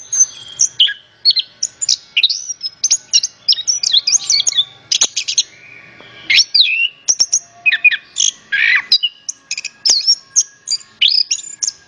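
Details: Orange-headed thrush singing, a recording meant to draw other birds into song: fast tumbling sequences of sharp whistles, slurred rising and falling notes and chattering bursts, nearly nonstop with one short pause, no other noise.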